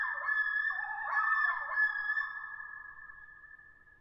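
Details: Rapid quavering call of a common loon over a held high tone, loudest in the first half and then fading steadily away.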